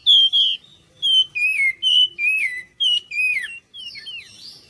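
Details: Oriental magpie-robin song used to prompt other birds to sing and respond: clear loud whistled notes, some level, some sliding down, in short phrases with brief gaps, ending in quicker twisting notes.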